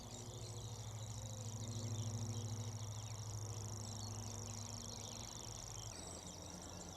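A Grasshopper Warbler reels without a break, a high, dry, insect-like trill that runs through nearly the whole stretch, over low wind rumble and faint background birdsong.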